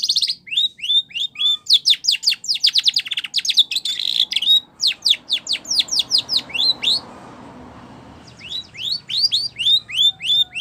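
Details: Spanish Timbrado canary singing a song used for training canaries. Fast runs of sharp, upward-flicking metallic notes, several a second, form rolling trills that pause briefly near the end before the rapid series resumes.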